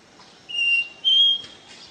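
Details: Pure 'ré mi' song of a caboclinho seedeater: a clean whistled note followed by a slightly higher one, with faint bird chatter behind.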